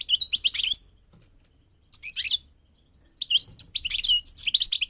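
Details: A migrating goldfinch pours out fast, liquid twittering with high chirps and slurred notes in long runs, pausing briefly twice.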